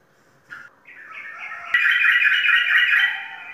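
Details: Caged Sooty-headed bulbul kept as a prize-winning contest bird in Indonesia, singing a bubbly, warbled phrase of slurred notes that starts softly and swells into a loud, rich run, with a steady low hum behind.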